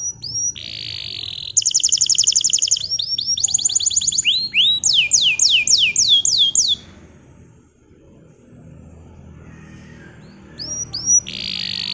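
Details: Singing bottle-green canary, a tutor song for young learning canaries; mixed buzzy notes and fast high trills, then rapid descending slurs, a near-silent pause, and a few final notes.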